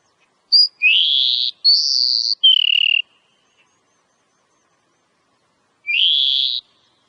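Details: Wild Oriental magpie-robin song of long, slightly harsh, buzzy whistled phrases, some rising and some falling, delivered in a burst, then a pause and one more rising buzzy whistle.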